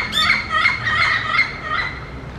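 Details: A partly bald, yellow-headed parrot that keeps returning to a forested area gives loud, harsh, ringing squawks, about four in two seconds, over faint background noise.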